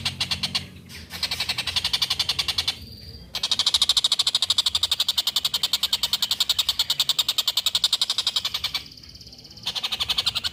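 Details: Long run of harsh, fast-repeated chattering notes from a collared kingfisher in full voice, recorded as a training master for songbirds; the series pauses twice briefly and restarts each time at the same rapid pace.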